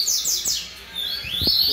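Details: Captive-bred coleiro, a young bird, singing short, high, sweeping whistled notes, some falling and one long rising slur, with a man's voice talking in the background.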